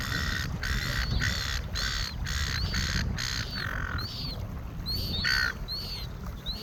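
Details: Gulls in a flock by a lake give a run of harsh, drawn-out cries that fade out midway. Thin, arched, high chirps from another bird repeat through the second half. Low background rumble throughout.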